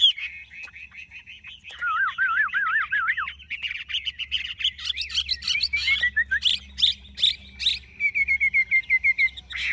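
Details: Caged, large-bodied Chinese hwamei in Vietnam singing: a wobbling whistle that rises and falls repeatedly, then jumbled bright notes, a falling string of quick whistles, and crisp repeated phrases.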